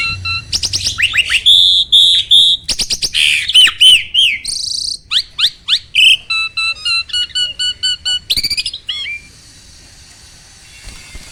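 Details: Starling song played to prompt reluctant caged starlings to sing: loud, varied whistles, rising and falling sweeps and rapid chirps, then a run of short repeated notes before fading to quiet near the end.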